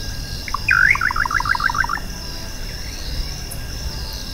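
Little Nightjar gives a quick burst of about a dozen short, bubbling notes, tumbling in pitch over a second and a half. A steady high insect drone continues throughout.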